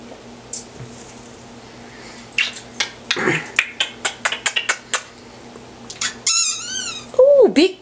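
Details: Milo, a nearly 18-year-old African grey parrot showing off his monkey sound and chatting with his owner, makes a run of sharp clicks, then a wavering, warbling whistle and a low, bending hoot, with faint indoor room noise.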